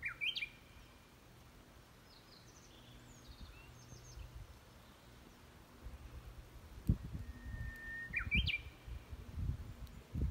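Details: Japanese bush warbler (uguisu) singing in the mountains of Yamagata: a short burst of notes, then a long steady whistle followed by quick rising notes, against low rumbling background noise and faint knocks.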